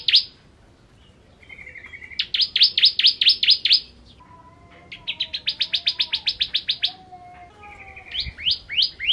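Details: A bar-winged prinia of the "kristal" type sings persistently: loud bursts of about eight rapid, buzzy notes, each burst opening with a thinner trill. Soft lower whistles fill the gaps.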